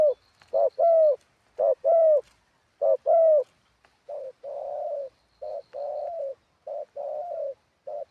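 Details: A spotted dove kept as a ground decoy gives a wild-style song of hooting double coos, short then long and falling, about once per second. A second, quieter and flatter-toned dove answers in the latter half.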